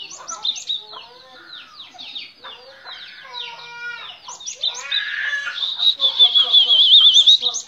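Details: A cinereous tit in full song gives a busy run of high, scratchy chirps and buzzy notes, ending in a fast, ringing trill; other faint bird calls are heard behind it.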